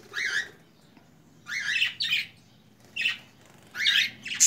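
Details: Budgerigars in a home aviary chattering in short, scratchy bursts of high warbling notes, about five bright, raspy phrases spaced roughly a second apart.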